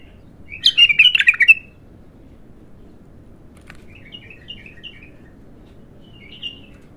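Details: Bulbul singing in raw, unprocessed form at its first opening: one loud warbled phrase of quick chirpy notes near the start, then fainter short whistled phrases spaced a few seconds apart, over a low background hum.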